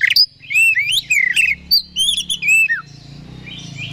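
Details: Oriental magpie-robin lure song meant to heighten another bird's aggression: loud looping whistles and rapid scratchy notes for nearly three seconds, dropping into a low hiss with faint high whistling.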